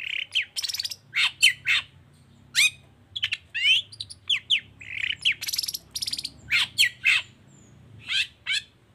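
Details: A long-tailed shrike sings energetically in the 'toet toet' style meant to prompt silent shrikes to answer. Dense run of scratchy chattering notes and short whistled slurs in uneven bursts, faint low hum behind.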